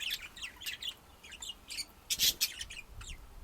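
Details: Budgerigars giving quick warbled chirps and descending twitters, with one loud harsh squawk near the two-second mark.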